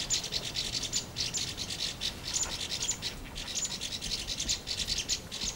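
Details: Red-flanked bluetail, also called orange-flanked bush-robin, a winter visitor to the lower hills; short high chirps repeated in quick bursts about twice a second, with a soft hiss beneath throughout.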